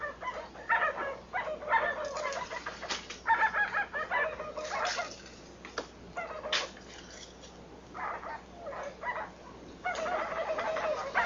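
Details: White-browed guan from Brazil calling to its mate, a run of loud honking and clucking notes in irregular bursts, separated by sharp broadband flap-like noises and short quiet gaps, ending in a denser calling spell.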